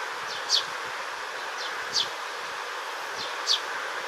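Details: Young Eurasian tree sparrow calling in green space on a hot day, 3 July 2022, as it preened and dozed: three sharp, high, downward chirps about every 1.5 seconds with fainter chirps between, under a constant broad hiss.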